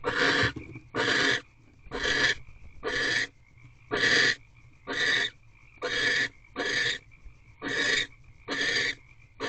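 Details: At a nest box on 17 March 2023 at 4:26 am, a male barn owl brings prey and mates with the female; evenly spaced, short broadband hissing screeches recur roughly once per second.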